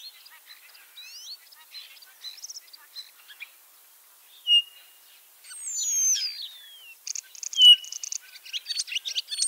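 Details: Ringed common starling, leg injured, singing at Liepāja, Latvia in spring 2023: sparse clicks and short upward whistles, a sharp isolated note, long looping falling whistles, then a fast run of dry clicking notes.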